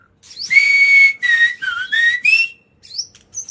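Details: White-rumped shama in agitated, non-stop song meant to provoke other birds, giving long clear whistles that step up and down, one dipping low, followed by a rising slur and faint high notes after a short gap.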